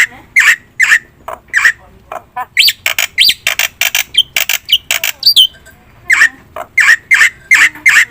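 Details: Black-winged myna in full loud song, played as a lure to get other birds calling: harsh, broad squawks at uneven spacing, a burst of quick scratchy chattering notes midway, then more squawks.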